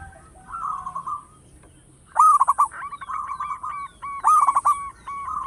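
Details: Local zebra dove with a big voice, used as a lure, starts with soft purring coos, then after a pause bursts into loud, clipped, stuttering phrases followed by smooth trilled coos, twice.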